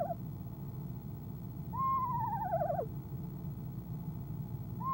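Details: Eastern screech owl, female, nest box camera, evening of 25 January 2015 before leaving; one full tremulous descending whinny with fragments at either edge, over steady low hum.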